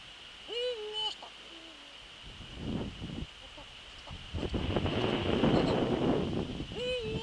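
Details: At its nest on a December evening in 2013, a Eurasian eagle-owl calls twice, each a short upslurred then level tonal note. The calls are separated by several seconds of rustling and scuffling nest noise.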